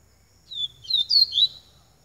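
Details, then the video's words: Short pica-style phrase from a coleiro baiano, the yellow-bellied seedeater: a thin descending whistle followed by three quick, bright, slurred notes in a high register, over a quiet low hum. "Coleiro Baiano Pica"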